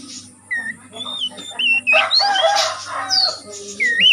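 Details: Oriental magpie-robin from the wild forest, recorded as a training lure for caged birds, gives a varied song of slurred whistled notes, short chirps and rising upslurs, with brief louder chattered bursts in the middle and a rising whistle at the end.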